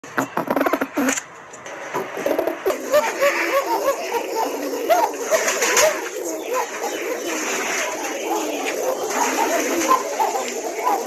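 A crowd of pigeons coos at once: low, soft, throaty burbles overlapping without pause, with a few sharp clattering flaps near the start.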